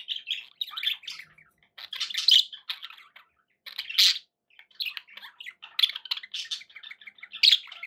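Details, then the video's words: Pet budgerigars chatter in uneven bursts of scratchy warbling and sharp squawks, with a brief silent pause midway. "11 hours of budgie sounds"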